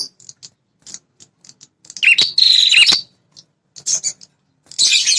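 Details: Red-headed prinia call for luring territorial males: soft ticking notes, then one loud buzzy trill of about a second with two dipping notes, followed by brief chips and a final rough burst.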